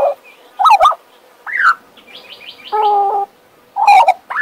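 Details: A pet male Western Australian magpie gives scattered, slurred warbles and a rising whistle. A steady, buzzy, tonal passage sits in the middle, then rich gurgling notes close the passage.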